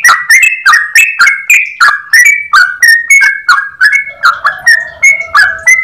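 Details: Yellow-vented bulbul singing vigorously in a long, clear, rapid run of phrases: steady clicky notes with flat tones, roughly three each second. A faint lower tone enters near the end.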